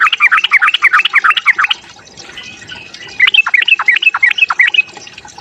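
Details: Sooty-headed bulbul fighting song meant to provoke other birds: two bursts of rapid, bubbling chirped notes in quick succession, separated by a short pause near two seconds.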